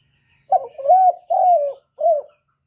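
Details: A lure call of the spotted dove, played to stimulate doves ('kích bổi'): one cooing phrase with a short opening note, two drawn-out wavering coos, then a short final coo. No other sounds are present.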